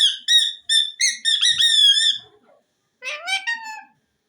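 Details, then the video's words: Pet green ring-necked parakeet talking. A fast run of nasal, harmonic-rich syllables repeats about every third of a second and then runs together. After a short gap comes a wavering phrase that ends in a lower, drawn-out note. "mian mitho chori khani ha,lovely green parrot bird talking"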